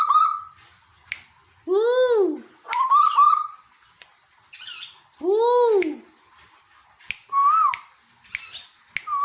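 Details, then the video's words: Captive Tuwu (Asian koel) in Bogor, Indonesia, giving two loud arched squawking calls among rasping bursts and rising whistled notes, with scattered clicks in a quiet room. "Suara Asli Burung Tuwu Pemancing Bunyi"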